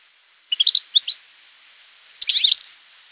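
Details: European goldfinch in campero song, two brief clusters of quick chirps followed by a denser twittering phrase ending in a thin high whistle.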